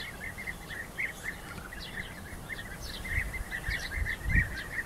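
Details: European bee-eaters fighting as rivals: an unbroken chorus of throaty, trilled calls from a group, some louder bursts near the end, over low background rumble.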